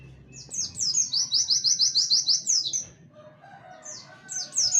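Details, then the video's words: Warbling white-eye giving 'tembakan wit wit kenari' song meant as a training model for songbirds: one long, rapid string of high, sharp chips lasting about two seconds, ending with descending slurs, then a short fresh burst. "pleci tembakan wit wit kenari cocok buat masteran"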